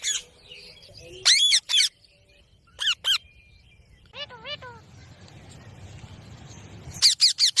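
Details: Green ringneck parrot, shown dancing, giving shrill, high rising-and-falling screeches in short bursts, with pairs of bursts, a lower run of wavering notes, then a final rapid series of sharp screeches over a faint background hiss.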